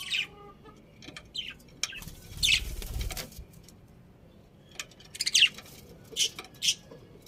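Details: Budgerigar chirps come in short bright bursts with rustling and wing flutter midway, then a tight cluster of chirps and two spaced notes at the end.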